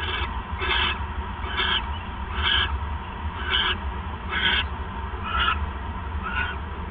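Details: Raspy owl calls at night, 28 December 2014, while a male delivers a third mouse; eight short breathy hissing bursts, about one per second, over constant low background hum.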